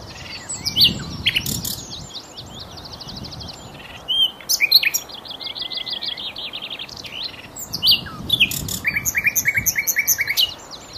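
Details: A common nightingale at Cowpen Bewley sings varied phrases of sharp whistles, quick rattling trills and rapid repeated chooks in bursts with short pauses, with faint low background noise.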